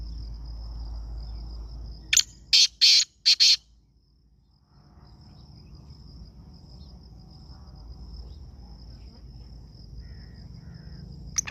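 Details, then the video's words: Black francolin calling: a quick phrase of five harsh, grating notes over about one and a half seconds, then quiet. A thin, steady insect whine runs through, with low rural background rumble. "black francolin nice voice"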